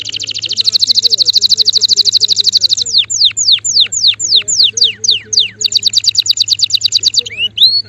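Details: A male canary sings a long, fast, buzzy trill, then a series of steep descending whistled sweeps, then another rapid roll and a couple of rising notes. Faint low hum underneath.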